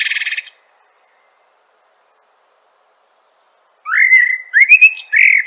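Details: Common Blackbird (Turdus merula) singing: a brief high twittering phrase ending, over three seconds of silence, then a rich, fluty whistled phrase that rises, holds level, and closes with thin, squeaky twitters. Clean recording with no other sounds.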